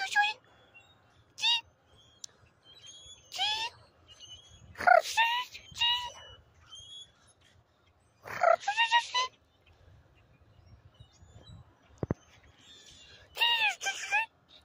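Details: A very active group of Common Grackles in Charlottetown, Prince Edward Island, gives bursts of harsh, squeaky, creaking calls with sharp rising and falling notes.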